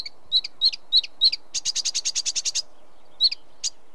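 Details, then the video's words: Sedge warbler song with a few spaced, sharp whistled chips, then a tight burst of about a dozen rapid buzzy notes, followed by two more isolated chips. "Sedge Warbler Bird Call Bird Song"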